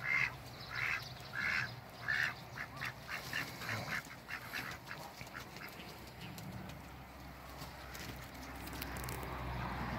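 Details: Four Pekin ducks give a few short nasal quacks in quick succession at the start, then fall quiet under rustling and a low background hum.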